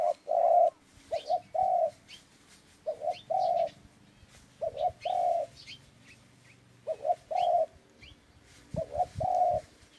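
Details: Repeated dove cooing phrases, each two short coos followed by a longer held note, recurring about every two seconds, with faint high chirps of other birds in the background.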